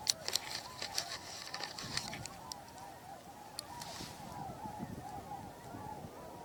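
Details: Many Tundra Swans calling in flight overhead, lots but not hundreds, give a dense chorus of mellow overlapping whooping notes, mixed with honking Canada geese and a faint voice.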